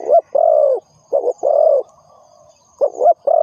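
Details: Low coo phrases of a spotted dove used to lure birds into traps: short paired notes each followed by a longer smooth croo, repeating three times over about three seconds.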